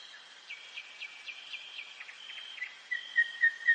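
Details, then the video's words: Common nightingale singing at night in a forest, distant and soft: a run of repeated quick notes, then four clearer whistled notes about a third of a second apart, behind a constant thin high hum. "СОЛОВЕЙ. НОЧНОЕ ПЕНИЕ СОЛОВЬЯ В ЛЕСУ."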